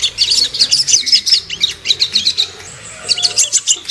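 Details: Ruby-cheeked sunbird lure song meant to rouse birds to aggression and breeding excitement: fast bursts of sharp, high, scratchy twittering notes, with a brief pause in the middle before rapid chipping resumes.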